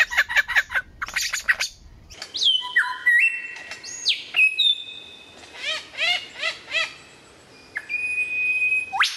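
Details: Lyrebird with a few clipped chirps, then varied whistles: long level tones, abrupt upward sweeps and repeated bell-like downslurred notes.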